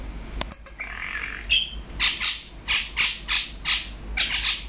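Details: Male and female Brahminy starling pair in Kuwait giving a run of harsh, broadband chattering notes, about eight bursts in quick uneven succession, preceded by a short whistled phrase.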